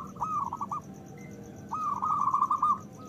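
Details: Local zebra dove (perkutut lokal) singing loudly, used as a lure to stir breeding desire and prompt lazy doves to call: two rolling cooing phrases of quick pulsed notes, the second longer, over a steady low background hum.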